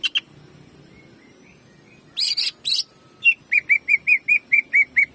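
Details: Cucak ijo, greater green leafbird, shooting jamtrok song used to train caged birds: two high ringing notes, two harsh rasping bursts, then nine crisp, evenly repeated chips.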